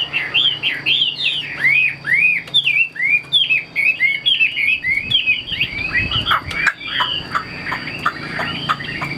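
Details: A caged hwamei, about 80% tame, delivers a lively stream of clear, arched whistles and short slurred phrases, loud and varied, with brief pauses between bursts.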